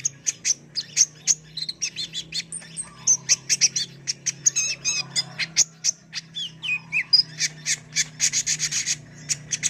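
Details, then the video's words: Sunbird, known locally as kolibri ninja, delivering a constant stream of sharp high chips and scratchy twitters, with a brief buzzy burst near the end over a low steady hum. "MASTERAN BURUNG KOLIBRI NINJA GACOR ISTIMEWA"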